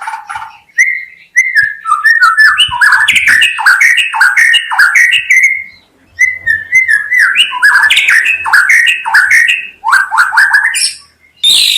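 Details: White-rumped shama song: loud, varied whistled phrases sliding up and down, mixed with sharp clicks and chattering notes, broken by two short pauses.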